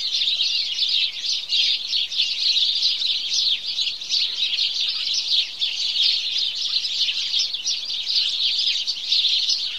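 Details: House sparrows in their morning chorus, a steady mass of high, sharp chirps from a crowd of birds, overlapping so thickly that single notes blur into a continuous twittering hum.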